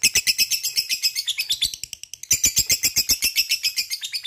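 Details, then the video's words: Energetic lovebird with a long 'ngekek' chatter, a recording to prompt other lovebirds to answer: very fast, high, rhythmic pulses without a break except a short dip midway. "Lovebird mana yang gak bakal nyaut bila mendengarkan ini,gacor rajin ngekek panjang"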